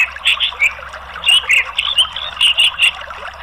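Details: An orange-headed thrush gives bright, high chattering notes in quick bursts of three or four, with short gaps, over a faint low hum; it is meant as therapy to prompt a reluctant thrush to sing.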